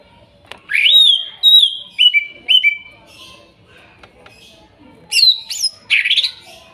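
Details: Greater green leafbird song from wild forest material, played as therapy for a bird that has stopped singing: clear whistled notes, some rising then level, in short separated phrases, followed by higher sharp chirps after a pause.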